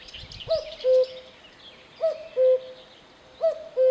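A cuckoo gives its falling two-note 'cu-ckoo', three times about every one and a half seconds, with faint chirping of other birds behind.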